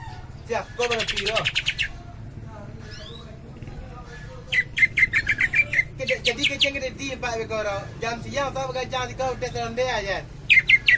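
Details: Greater green leafbird, Cililin, kapas tembak song style: varied phrases of fast chattering bursts, sliding whistles and warbled notes, with short pauses between rapid repeated notes, all over a steady low background hum.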